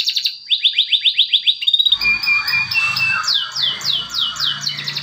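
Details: Male canary song for coaxing quiet canaries into song: a quick series of rising chirped notes for two seconds, then a noisier stretch with sweeping whistles over a low background rumble.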